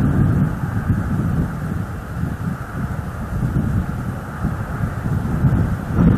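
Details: Gusty wind roars against the microphone with deep rumbling surges; no animal voices stand out.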